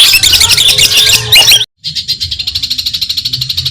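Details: Madura long-tailed shrike (cendet) masteran song: a burst of dense scratchy chatter and whistles breaks off into a brief silence, then a steady, evenly pulsed buzzing rattle repeats about twice per second.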